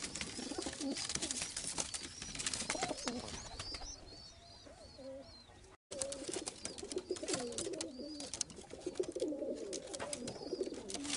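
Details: Rampuri pigeons, a high-flying Indian breed, give low wavering coos in overlapping bursts, rising and falling repeatedly, amid rustling noise and a brief break in the middle.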